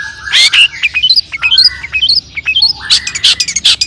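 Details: Captive long-tailed shrike singing to goad other shrikes into song: varied whistled upslurs and short chips mixed with harsh rasping bursts, lively and irregular.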